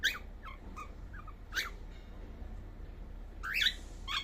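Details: Young cockatiel murmuring in its sleep: a few scattered short chirps separated by quiet gaps, with sharper, louder squeaks near the start, middle and end, against low background hum.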